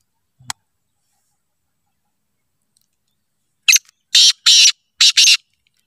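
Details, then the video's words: Black francolin calling: after a click and long silence, a harsh grating phrase of five loud, raspy notes, the middle ones longest, delivered in just under two seconds. "کالے تیتر کی آواز"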